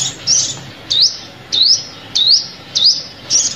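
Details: Six high, sharp upsweeping calls of a sunbird, each short and bright, repeated about every 0.6 seconds; used as a trapping lure, against faint low-frequency hum.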